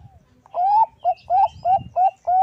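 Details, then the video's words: Bangkok zebra dove, a female calling a male, used as a lure to draw rivals: a long rising cooing note, then four short mellow coos at an even pace, with a soft low rumble underneath. "Suara burung perkutut bangkok memanggil lawan paling ampuh untuk pancingan"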